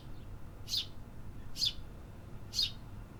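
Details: Urban birds active in town, giving three short, bright high chirps roughly once a second against a constant low background rumble.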